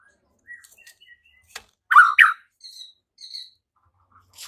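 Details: White-rumped shama stirred by a lure recording to sing and fight; soft short whistles followed by two loud downslurred harsh notes and a few quieter high notes.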